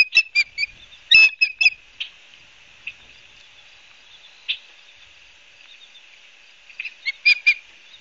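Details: Osprey calls recorded 12 September 2022 at Barnegat Light, New Jersey: clusters of high piercing whistled chirps at the start and end, separated by quiet with a few faint notes.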